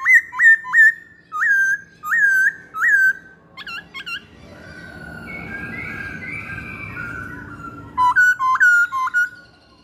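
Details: Masked laughingthrush, a lure or training recording: clear hooked whistles in short groups, then a quiet stretch of soft warbling, then another burst of quick whistles.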